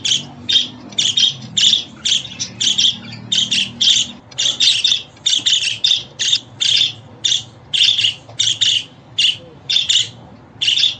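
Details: A budgerigar keeps up a long, busy run of scratchy chirps, dozens of bursts packed closely with hardly a pause, over a low hum.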